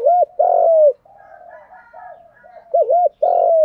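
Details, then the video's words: Spotted dove cooing, a training call played to help captive young doves learn to coo quickly: loud arched coos near 600, a double hooked note, then a long falling coo, with softer muttered notes between. "Chim cu gáy thúc + gáy gọi. giọng đồng, giọng hạp bổi mở lên tập chim bổi nghe rất nhanh nổi"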